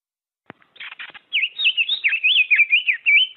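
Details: Diademed tanager singing a varied warbled song: a few soft scratchy notes, then a continuous run of clear, rapidly rising and falling whistled phrases, sweet and liquid, with quick slurred modulations throughout.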